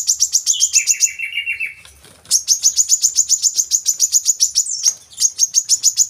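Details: Brown-throated sunbird, played as lure audio for untrained captive birds: rapid high chirps repeated several times a second, a short lower buzzy descending run near the start, a brief pause, then a long even series of sharp notes.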